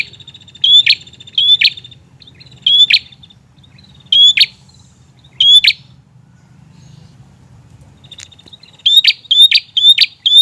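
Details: Prenjak singing insistently as a lure for young birds: sharp rising chirps in pairs and singles with gaps of a second or more, a quieter pause mid-clip, then a rapid run of four chirps at the end over low background rumble.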